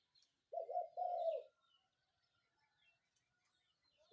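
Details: A spotted dove coos at dawn, giving one low, throaty phrase of a quick stuttered note followed by a sustained purring coo, then near silence with faint distant bird chips.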